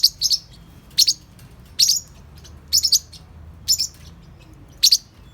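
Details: Playful young Forpus parrotlets about 3–4 months old give six high, sharp chirps in quick doubled notes, about one burst per second, against a quiet indoor background; Parrotlet.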